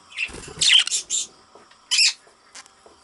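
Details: Budgerigar chick giving a few harsh, raspy, high-pitched chirps in short bursts, two clustered loudly early and another pair near the end, with soft low thumps and faint ticks between.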